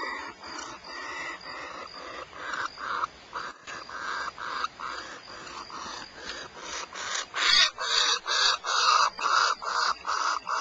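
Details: Barn owls at Starr Ranch, California: raspy hissing bursts repeated quickly, muffled and blurred at first, then louder and more distinct in the last few seconds.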